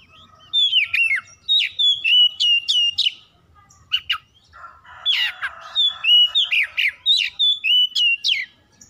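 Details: Oriental magpie-robin from a home, singing to trigger others: repeated short whistled phrases of chirps and down-slurs, a brief pause, then the same phrases again in quick succession.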